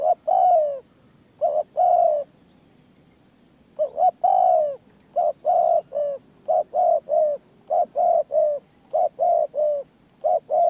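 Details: Spotted dove, a bird taken out to gain experience on the perch, giving low hoarse cooing in short phrases of two or three notes. Phrases repeat about every second or two, with brief pauses between groups.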